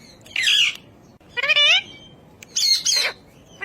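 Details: Talking ring-necked parakeet giving three loud, harsh, raspy squawks, each lasting about half a second and spaced roughly a second apart, with quiet gaps between them.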